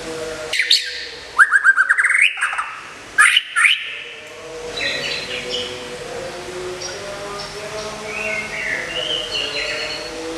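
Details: Captive white-rumped shama, a prize-winning contest bird, sings while under moult care: a burst of loud, clear whistled phrases with rapid rising and falling slurs in the first four seconds, then softer, scattered whistles over a hissy background.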